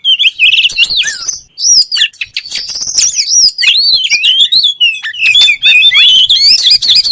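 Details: Continuous energetic song of an oriental magpie-robin, known locally as kacer: bright whistled slurs, rising sweeps and quick twittering notes delivered almost without pause, loud and clear against a quiet background.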